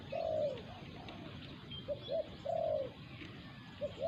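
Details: Spotted dove at a decoy-hunting site, where a wild local bird challenges a caged decoy. A long, mellow, falling coo opens, then short soft coos and another drawn-out coo, over quiet rural background.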